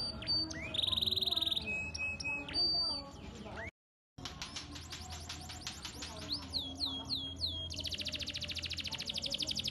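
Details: Canary singing a long, rich song meant to make other canaries join in: rapid rolling trills, a brief pause, then a series of falling whistled notes leading into a fast buzzy trill.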